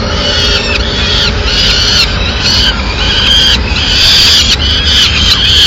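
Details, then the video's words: Peregrine falcon chicks in Madrid, Spain, begging loudly at mid-morning as the female brings in a small bird as prey; harsh, drawn-out screaming calls follow one another over steady background noise. "Comida de media mañana_Halcón peregrino"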